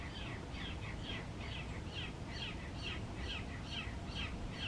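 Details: A rescued southern crested caracara having breakfast gives a run of harsh, scratchy notes, about three per second, over steady low rumbling background noise.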